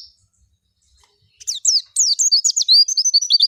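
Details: After a short silence, a Javan white-eye bursts into a quick, high-pitched twittering song. The thin, sliding notes come faster and louder toward the end. Nothing else is audible.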